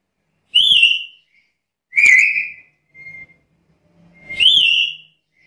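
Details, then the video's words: Black-capped lory calling in harsh, ringing squawks, three in five seconds, with a faint thin whistle and soft knocks between them. "Suara burung nuri kepala hitam gacor"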